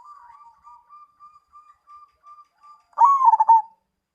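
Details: Perkutut, or zebra dove, in the Mojopahit style: a run of soft, evenly spaced short coos, about two per second, then one loud rolling phrase of stuttering pulses ending in a held note.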